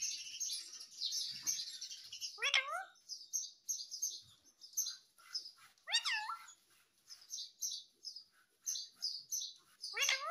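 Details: Parrot kept as a pet and said to speak "mummy" and "papa" chatters in continuous high chirps and twitters, broken about every three to four seconds by a loud, downward-swooping, harmonic call.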